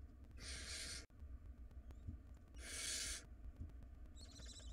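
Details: Wild barn owl nestlings in a monitored nest box struggle over a very large rodent. Two long, harsh, breathy screeches, each about half a second, come roughly two seconds apart, followed by a fainter rasping burst, over a low background rumble.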